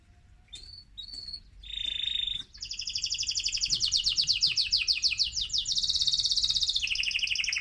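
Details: Excited male mosaic canary singing to stimulate other birds: a few short high chirps, then a long run of rapid trills and rolling notes, shifting from one trilled phrase to the next, clear and loud.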